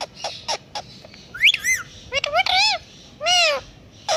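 A ringneck parakeet gives harmonic, arching meow-like calls, first a series of short sharp notes, then three longer swooping mews, bright and nasal.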